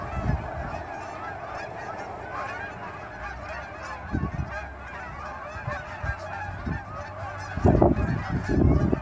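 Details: Fall morning near Dawson Creek airport, just after sunrise: hundreds of Canada geese flying off the ponds toward grain fields for food, giving a continuous mass of overlapping honks, with thumps of wind rising near the end.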